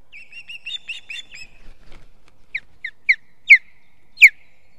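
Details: Osprey calling at its nest in Estonia on a foggy 2 September 2018: a quick stuttering series of short whistled chirps, then spaced, louder, sharply downslurred whistles, each louder than the last, in otherwise quiet air.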